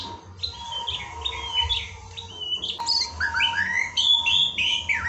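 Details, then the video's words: White-rumped shama fill-in song for firing up a kept bird: a rich mix of warbled whistles, rising and falling slurs and high sharp notes, steady hum and low background rumble beneath. "bongkar isian murai batu untuk menaikan emosi murai batu peliharaanmu"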